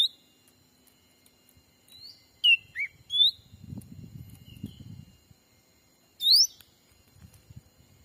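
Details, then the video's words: Black-capped bulbul lure for attracting wild birds in Sumatran forest: a series of short whistles, some rising and some falling, clustered early, low rustling in the middle, then one loud rising sweep. "suara asli pikat cucak ranting anti jong yang liar pasti dijamin langsung datang"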